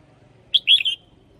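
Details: Red-whiskered bulbul singing a decoy song for luring, with a double phrase: one brief burst of bright, warbled whistled notes lasting about half a second against a faint low hum.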